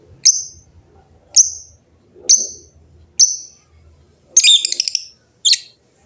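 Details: Noisy lovebirds answering each other: short, sharp, high chirps about once a second, then a buzzy rattling burst and one more piercing note.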